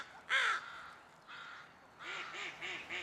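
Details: Crows from a noisy group in the background: one loud, rasping caw, then softer distant caws, including a quick run of four short caws near the end.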